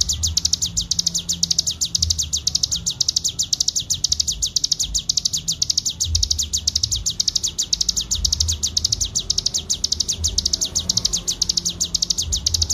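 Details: Bar-winged prinia in sustained ngebren song, recorded as a clean master for training: about thirteen seconds of uninterrupted, evenly spaced high chirps in a fast rattle-like stream over a quiet low background hum.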